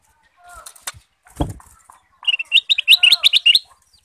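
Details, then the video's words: Male goldfinch (kutilang emas) singing as a lure for other birds: after some thuds and scattered noises, a rapid twittering string of about a dozen high, bright chirps runs for just over a second. "kutilang emas gacor dan lincah pancingan ampuh dengan suara merdu"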